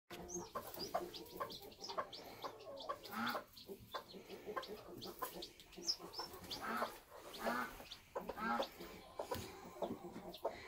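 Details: Bantam chickens at a homestead while a chick hatches from its egg: a busy mix of low soft clucks and short high chirps, overlapping irregularly throughout, with some background rustling.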